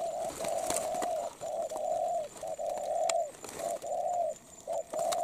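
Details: Spotted dove, moulting, cooing loudly and rapidly in a quick run of short and long level coos with barely any pause between phrases, background clicks.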